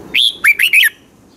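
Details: Red-whiskered bulbul from Pala-u, Thailand, in 'double' song style: a short loud phrase of one rising whistled note followed by three quick, rolling warbles.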